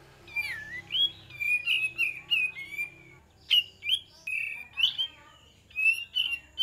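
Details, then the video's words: Kapas tembak bird song used as a lure to draw a reply. Liquid whistled notes slur down then level off, delivered in quick bursts of about ten phrases over nearly seven seconds with a short pause midway. "PANCINGAN KAPAS TEMBAK DIJAMIN NYAUT"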